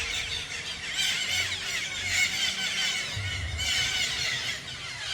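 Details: Countless wild parakeets in a tree at a natural bird sanctuary in Garo Para, producing a dense, continuous chatter of shrill, high squeaks and screeches, with a faint low rumble underneath.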